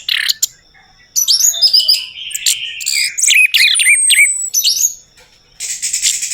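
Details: Orange-headed thrush song played as a lure for a bird that has stopped singing: after a short gap, a dense run of bright twisting whistles, trills and buzzy notes, ending in a harsh buzzy burst.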